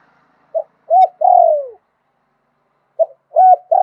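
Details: Spotted dove in Thailand, 'liu tan' style song in a wild tone: a brief note, rolling coo and long falling coo, then after a pause the next phrase begins.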